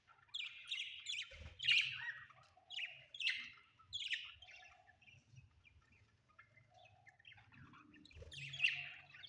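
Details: Budgerigars kept as pets indoors give repeated short chirps and warbled notes in bursts about every second, with a few softer lower squeaks between them and faint background rumble.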